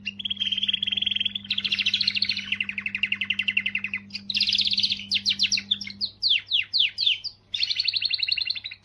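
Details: Canary singing to motivate females: a steady trill, then long rolling trills, rapid downward-sweeping notes and a final buzzy trill, over a low mechanical hum.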